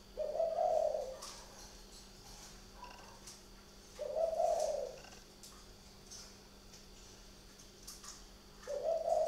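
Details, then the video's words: Spotted dove from a bird garden in Ba Vì district, Hanoi, northern Vietnam, cooing at night: three low, mellow, slightly wavering coos about four seconds apart, each lasting about a second, with faint clicks between them. "chim gay đêm"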